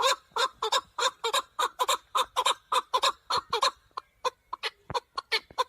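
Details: A male chukar partridge, recorded for hunting use, delivers a long, rhythmic run of gruff, clucking notes, two to three a second. The run briefly thins out midway before picking up again.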